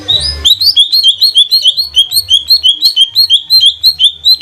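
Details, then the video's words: Captive green leafbird (cucak ijo trotol) from Banyuwangi, used as a lure to make birds sing, with its typical bebeci bebeci style. A steady run of quick repeated chirping notes, roughly three per second. "Pancingan burung CUCAK IJO TROTOL GACOR agar jamtrok"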